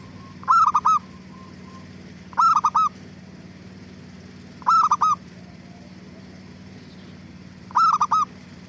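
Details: Zebra dove (perkutut) lure song intended to make other doves respond: four evenly spaced bursts of rapid, clipped cooing notes, roughly every 2.3 seconds, over a steady low hum.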